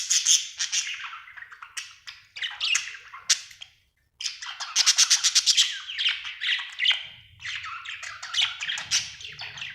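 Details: Cheerful pet budgerigar in lively chatter: rapid scratchy clicks, squeaks and warbled chirps run on, broken by one brief silence midway, then resume with a fast ticking burst.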